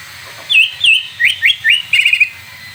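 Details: Greater green leafbird song used as a tutor recording to provoke another bird into singing: a run of clear whistled notes, some slurred up and down, then rapid chattering trills, all high-pitched, over a faint low hum.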